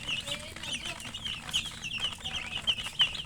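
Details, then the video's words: Chirping of young chickens, with bright, high, short peeps repeated about three times a second at an uneven rhythm, against quiet background noise. "Murgi chicks Chirping sounds"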